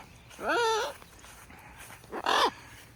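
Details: A pet military macaw outdoors after a shower gives two loud, harsh squawks about two seconds apart; the first longer, rising then falling, the second shorter and rougher.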